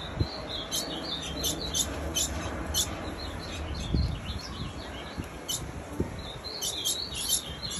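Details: A female Ultramarine Grosbeak calls nonstop, giving sharp, high, thin chips in steady runs, about one every half second, with a low rumbling background hum.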